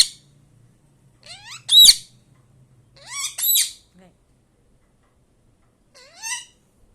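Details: Pet parrot mimicking words and sounds, including "kaka kaka": three short bursts of harsh, rising, harmonic-rich vocal sounds, with a loud squawky peak, separated by pauses of a second or more. A faint low hum runs underneath.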